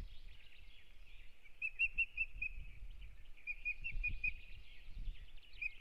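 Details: An osprey at its nest in Kurzeme, Latvia, on 9 April 2022, as the pair begins a new breeding season, gives short series of high, clear whistled cheeps, about five quick notes per burst, over a steady low wind rumble.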